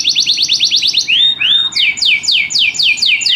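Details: Canary song with fast rhythm: a quick trill of repeated notes, two drawn-out rising whistles, then a run of loud downward-sweeping notes repeated several times a second.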